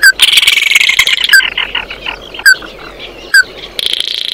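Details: Oriental white-eye singing to call its flock: fast buzzy twittering chatter with short slurred whistles scattered between, then a dense buzzy burst at the end.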